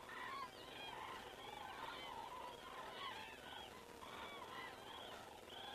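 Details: Common cranes flying over an Estonian crane camera at 19:10 on 19 September 2017 give a busy chorus of bugling calls, with sharp rising notes and rolling trumpets overlapping from many birds.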